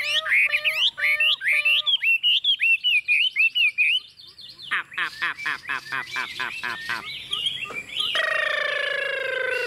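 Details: Tame, hand-raised Chinese hwamei singing on a table: a rapid string of repeated whistled notes, then a stretch of rattling chatter, with a steady mechanical tone entering near the end.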